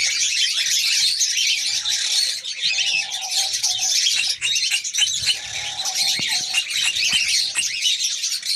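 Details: Female New Zealand kakariki (red-crowned parakeet) ready to mate, pouring out busy high squeaky chatter, with a faint lower steady tone surfacing twice in the background.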